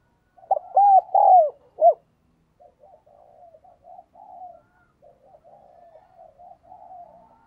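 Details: Spotted dove lure bird calling and cooing: a loud run of four arched, hooting coos near the start, followed by softer, lower wavering coos trailing on for several seconds.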